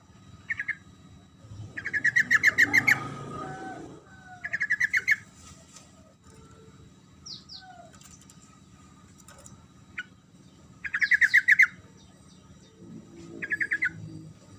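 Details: A yellow-vented bulbul's lively rolling song, used to get silent bulbuls to reply. Several separate bursts of rapid, bright chirps with quiet gaps, plus a brief rustle early on and a steady low hum.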